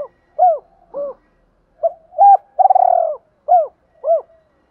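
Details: Decoy spotted dove gives its provoking call to rival males, soft hooked coos leading to a long pulsing, rolled croon followed by two more clipped coos; no other sounds intrude.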